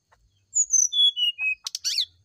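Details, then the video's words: Morning singing by a brown-chested jungle flycatcher, meant to get another bird to reply: a cascade of clear whistles falling steadily in pitch, ending with loud harsh buzzy bursts. "PANCINGAB SRDC NYULING DI PAGI HARI"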